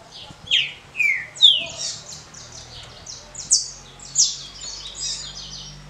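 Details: Green-winged saltator performing a short, smooth Paraná-style song meant for competition rounds. Loud whistled phrases slide downward again and again, roughly one every half second to second, with thinner high notes between them.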